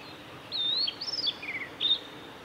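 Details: Singing male blue-and-white flycatcher, Kanazawa forest road by Lake Miyagase, Japan, 17 May 2020; a flowing whistled phrase with a long slurred note, a rising-falling arch, lower buzzy trills, then a final bright note.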